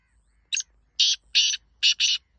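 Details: Black francolin giving its harsh rasping call: one brief clipped note followed by four longer scratchy buzzes, the last two run close together, in a quiet background.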